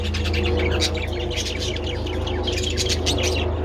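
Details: A group of budgies enjoying treats in sunlight on 27 February pour out busy, dense warbling chatter of rapid high chirps and squeaks, several birds overlapping, over a low steady hum.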